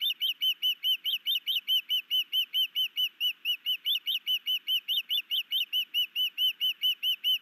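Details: High, evenly spaced whistled chirps run without a break, a little over two per second, from a new male osprey in a sky dance bringing a fish to his mate at a Hellgate Canyon nest, Missoula, Montana, 11 May 2019.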